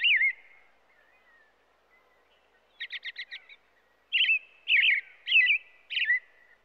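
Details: Robin gives a warbled whistle, falls quiet, then a quick series of five short clipped notes, followed by four strong, rolling whistled phrases in steady succession.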